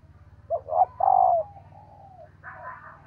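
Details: Female dove calling to stimulate males: a short low note, a second note, then a long smooth falling coo, followed by softer trailing coos and a faint background hum.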